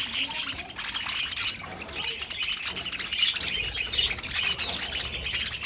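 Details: Pet budgerigars twitter and warble nonstop, high buzzy chirps layered densely, with a few louder squeaky notes standing out near the start and around the fourth second.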